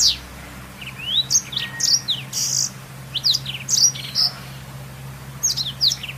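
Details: Black-throated canary singing, used as a master song for canaries: busy high-pitched twitter of rising and falling slurred notes in clustered phrases, a pause near the middle, low electrical hum throughout.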